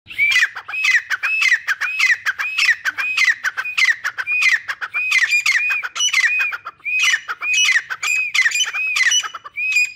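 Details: A caged pair of active grey francolins calling loudly: harsh, squawking notes with high arched whistles, repeated nearly twice a second in a steady, excited stream for the whole stretch.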